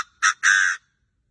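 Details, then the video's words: Chinese francolin crowing hard enough, it is said, to keep wild birds away; two loud, harsh, grating notes, a short one then a longer drawn-out one, within half a second, followed by silence. "đa đa mà gáy như thế thì thì bổi sao mà dám về"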